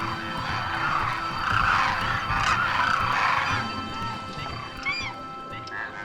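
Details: In winter, migrant Demoiselle Cranes from Mongolia and northeast China fly in one morning to a water hole's edge in India, calling loudly to announce their arrival: a dense chorus of overlapping, rolling honks, about four a second, then clearer rising trumpeted notes, with faint music.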